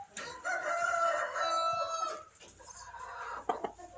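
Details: A laying Barred Rock hen in a nesting box makes a drawn-out, steady, nasal call over a noisy background, followed by rustling and a few short, sharp sounds.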